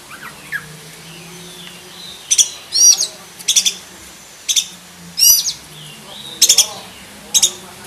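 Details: Black-breasted oriental magpie-robin singing its full, varied repertoire, recorded to tutor other magpie-robins: quick bursts of sharp high notes mixed with warbled, looping whistles, about ten phrases in close succession after faint lower chirps at the start.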